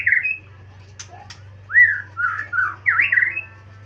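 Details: Magpie-robin song: short whistled slurs rising and falling, a couple of sharp clicks, then a swooping, dipping note pair, over a constant low hum.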